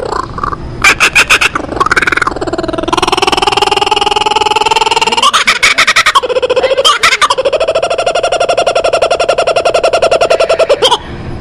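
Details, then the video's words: Kookaburra calling in a loud, rapid series of harsh, pulsed notes. They break into sustained rolling harmonic hoots that rise and hold, then fall back into choppy cackles. The recording is close, with no other clear sounds. "Canto de Kookaburra"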